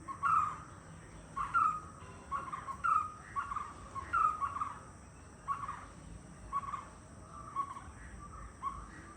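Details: White-cheeked barbet, locally called Chinna Kutturuvan, gives a steady run of short mid-pitched notes, each a bright accented start with a trailing tail, repeated roughly every 1.3 seconds over a faint constant high hiss.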